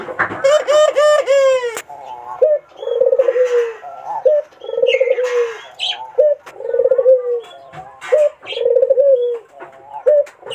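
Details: Barbary dove singing to entice a rival: an opening burst of rapid stuttered notes followed by a steady series of low, smooth coos repeated about every one and a half seconds, each ending with a short upturned note.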